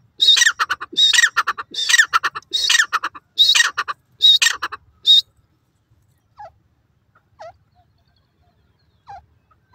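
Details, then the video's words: Dakhni teetar, the dim francolin, giving loud harsh squawking calls in a run of about seven bursts over five seconds, each broad and raspy, followed by quiet pauses with a few faint short notes. "Teter Awaz,Dakhni Teetar Voice,Titer Sounds"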